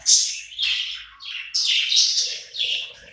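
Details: Several hungry budgerigars gathered together while eating, chirping in a run of bright, buzzy, chattering notes in quick bursts, loud and high-pitched, with a faint lower rasp in the background.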